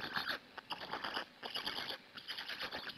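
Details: Black stork at a nest in Hungary, adult feeding the chicks, 2 May 2017 at 14:56, live nest camera; raspy, rapidly pulsed chattering bursts, each under half a second, separated by brief quiet gaps.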